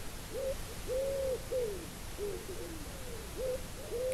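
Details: Pigeons coo near an open-topped wild rabbit enclosure, soft, low, hollow notes that swell and hold, repeated in overlapping phrases about every half second over a steady background hiss.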